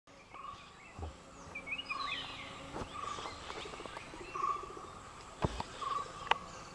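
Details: Flame-throated bulbul (Rubigula gularis) at Thattekkad, giving short, bright whistled notes every second or so, with brief rising chirps early on, over a steady insect hum and a few handling knocks.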